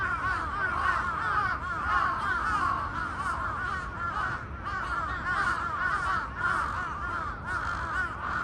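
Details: Many crows in a large flock caw together after the outside suddenly grew noisy; hoarse calls pile up into an unbroken, chaotic chorus, with individual caws barely separable and a faint low hum beneath.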